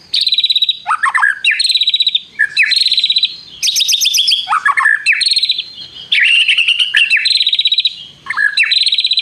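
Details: White-rumped shama singing loudly, its song filled with prenjak mimicry and long trills: high buzzy rattled trills alternate with sharp descending notes, repeated in bursts roughly every two seconds.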